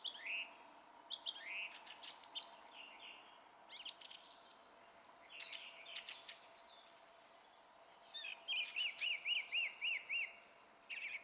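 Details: Song thrush in song on 27 April 2016: varied whistled and scratchy phrases, a pause, then a rapid run of seven identical clear notes, then a new phrase begins.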